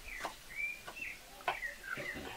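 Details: A thrush (sabiá) sings clear, sustained whistled phrases at a moderately high pitch near a home vegetable garden in the rainy, corn-planting season, said to herald rain. Sharp clicks and knocks from kitchen work cut across the song.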